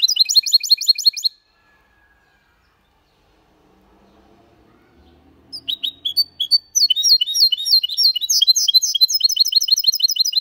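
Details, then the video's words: Goldfinch × canary hybrid singing in the elegant Malaga style without errors: a brief burst of rapid high trilling, a pause with faint low rumbling, then scattered chirps building into a long fast metallic twittering run. "Mixto de Jilguero Cantando Limpio (Video HD)Mulet de Chardonneret X canari /hybrid goldfinch singing"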